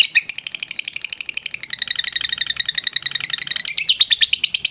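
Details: Lovebird master recording in the ngetrek style: a dense, fast series of piercing, twittering notes that holds a quick, regular beat throughout.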